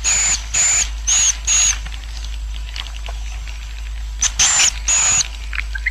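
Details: Roosting swiftlet colony, played to draw swiftlets in: long, high buzzy twitters in two groups separated by a quieter gap, with a constant low electrical hum underneath.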